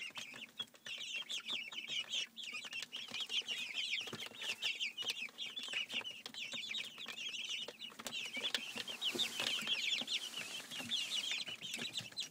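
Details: A flock of twelve miniature white Silkie chicks, roughly six weeks old, give continuous high-pitched peeping. Many short, overlapping chirps form a steady busy chatter throughout, with faint rustling beneath.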